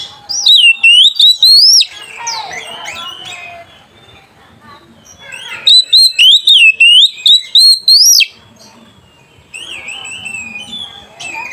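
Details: Oriental magpie-robin (kacer) in full song, calling out a rival and used as a lure for other birds. Two bursts of loud, wavering whistled notes in quick succession, separated by quieter chattering and twitters.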